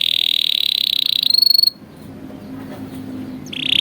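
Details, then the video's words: Recording for training young canaries: a loud, rapid rolling trill switching to a thin high trill, about two seconds of near silence, then the trill resumes. "MASTERAN PALING EFEKTIF BURUNG KENARI | COCOK UNTUK MASTERAN KENARI PAUD"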